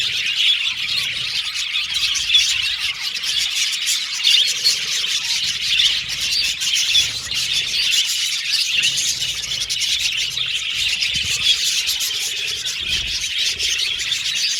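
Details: Caged budgerigar colony singing and chirping in an aviary; long steady stretch of overlapping high warbles, ticks and squeaks from many birds, with an occasional clearer whistled note rising above the chatter.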